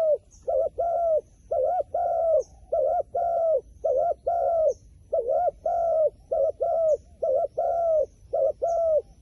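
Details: Wild pigeon cooing steadily in paired phrases, a short hooked note followed by a longer flat note, repeated about every seconds without a break, with faint high chirps in the background.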